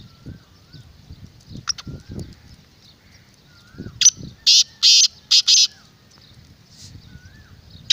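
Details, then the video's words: Black francolin calling to draw in wild birds: one loud phrase of five coarse, grating notes in the middle, with faint low thumps and distant soft whistles before and after. "پوری ویڈیو کی آواز اپنے تیتر کو سناؤ انشاءاللہ جنگلی بھی بولنے پر مجبور ہو جائے گا"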